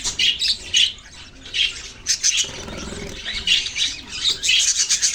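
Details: Several budgerigars, the Australian parrot, keep up a bright, scratchy chatter of overlapping high chirps and short squawky notes in quick bursts.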